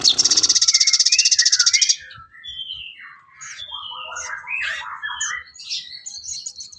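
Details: Sooty-headed bulbul song for training songbirds, opening with a fast, harsh buzzing rattle for about two seconds, followed by rapid gurgling, bubbly phrases and high chirps.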